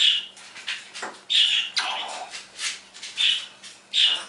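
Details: Household parrot doing imitations one morning, among them phone tones, game noises and canary song: a series of short, high, squeaky chirps and rasps with a few lower, voice-like notes.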